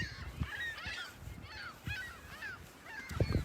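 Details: Gulls at South Beach, South Haven, by the lake on the morning of 21 March 2021: harsh, downslurred mewing calls, several overlapping in quick succession, over low surf-like rumble and a few thumps.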